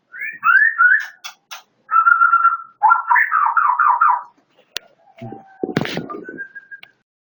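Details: Whistled song of a Medan white-rumped shama: quick slurred phrases, then wavering trills, then a short clear whistle. Scattered clicks and knocks follow near the end.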